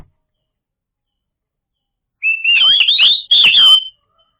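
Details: White-rumped shama singing as a lure for silent birds: after two seconds of silence, a thin whistle opens into two loud, rich warbling phrases with sharp clicks, ending within about two seconds.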